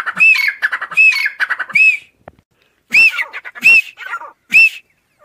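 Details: Grey Francolins, a calling group in Rahim Yar Khan grassland: bursts of chattering notes and clear rising-falling whistles, a brief lull, then three loud ringing whistled phrases about a second apart.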